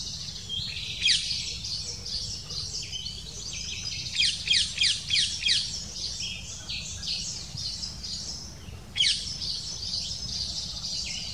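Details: At a black kite nest, the female brings in a small prey item and feeds her chicks for several minutes; high, sharp chittering notes sound in a quick run of about six, then in scattered bursts, over steady low background noise.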